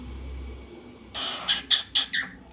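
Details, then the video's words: Pet cockatiel indoors giving a short burst of four sharp, high chirps after a second of quiet, each note brief and bright, with faint room hum beneath. "Cockatiel Crazy Singing Bird"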